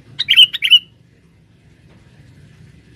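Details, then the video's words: Sooty-headed bulbul, a male set out as a forest lure for females, gives a quick cluster of three bubbly chirps, then a lone note after a two-second pause, over soft low background rumble. "pikat burung kutilang jantan buat pancingan di dalam hutan"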